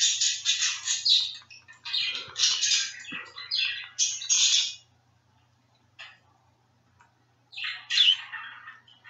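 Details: Pet budgerigar, a two-year-old male, searching for his friends in a phone: bursts of fast, buzzy, high chatter and chirps, then a few seconds of quiet before a final sharp squeaky phrase.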